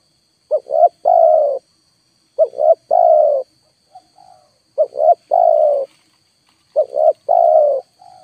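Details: Lure recording of a spotted dove giving repeated three-part phrases, two clipped coos then a drawn-out throaty coo, spaced about two seconds apart, with a constant thin high-pitched hum in the background.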